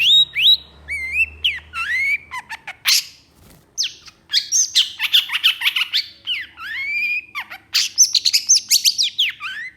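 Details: Long-tailed shrike giving a mimicking song full of borrowed phrases: slurred whistles, rising and falling notes, rapid clicks and chatter, a brief pause near the middle, then dense varied phrases.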